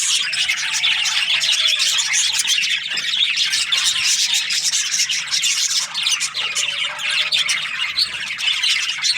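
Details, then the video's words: Budgerigars in the morning, chirping together: constant high chatter of quick scratchy notes and twitters, with occasional soft lower whistles underneath. "Amazing budgies chirping sounds in the morning"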